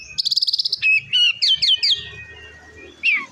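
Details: Oriental magpie-robin (kacer) gacor ngeplong song to stir up other magpie-robins: a fast rattling trill, then a string of loud slurred whistles, a pause and one final downward whistle, with low background rumble.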